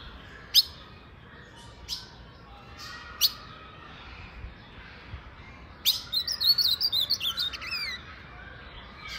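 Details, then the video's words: Female Colombian blue-black grosbeak singing and calling: three sharp, isolated chip notes spaced over the first few seconds, then a quick run of about a dozen high, bright warbled notes near the end, over faint background hiss. "Fêmia de azulão colombiana cantando e piando"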